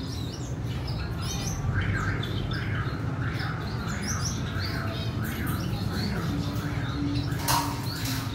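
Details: Female red siskin rearing her chick, recorded 14/4/2021: a steady run of short rising-falling chirps repeated about every half second, with scattered higher thin tweets above, over a constant low droning hum.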